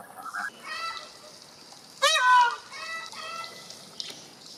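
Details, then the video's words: A peacock lets out one loud, piercing cry that bends upward then falls, framed by softer, shorter wailing notes before and after against a quiet background. "Peacock funny sounds"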